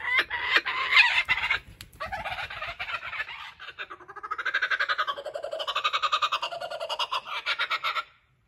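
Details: A male laughing kookaburra perches out of reach at a wildlife sanctuary, keeping a stolen joey's toy. He gives harsh cackles, then a pulsing laugh that swoops up and down in waves before stopping.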